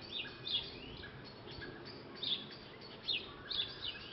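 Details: Several garden birds singing in a back garden at lunchtime, with brief high chirps and short whistled phrases scattered through quiet moments.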